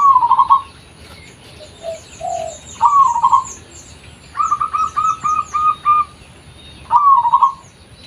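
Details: Local zebra dove in its original voice, suitable for luring: rolling coo phrases and a row of short stuttered coos, while another bird gives rapid high, thin chirps in the background.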